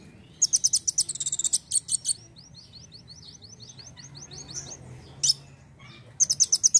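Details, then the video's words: Energetic sunbird song for training other songbirds: bursts of very high, sharp chirps, then a thinner rapid series of falling high ticks, a lone loud note and a final chirp burst, with a faint low hum underneath. "KOLIBRI WULUNG GACOR NEMBAK NEMBAK"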